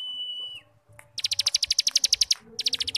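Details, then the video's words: Ngebrem-style cigun starling song for training young cigun: a steady high whistle breaks off, then a fast run of pulsed, buzzy notes about four per second. "Masteran Burung Cigun Ngebrem||Pancingan Cigun Muda Agar cepat bunyi dan gacor"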